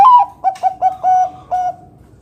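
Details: Zebra dove of the Bangkok type, big 'kung' voice, cooing to draw other doves into song: an opening drawn-out coo sliding down, then four quick clipped hoots and a final sustained note fading away.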